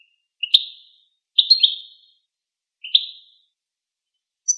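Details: Goldfinch giving three sparse, high twittering phrases with sharp onsets and trailing notes, plus a thin, high tone at the end, otherwise quiet.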